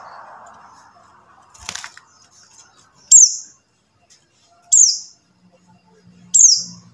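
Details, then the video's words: Buxtoni white-eye call meant to trigger singing in quiet white-eyes: after a soft rustle, three clear high downward-sweeping notes arrive at fairly even intervals of about one and a half seconds. "suara CALL PLECI BUXTONI | untuk pancingan PLECI MACET BUNYI"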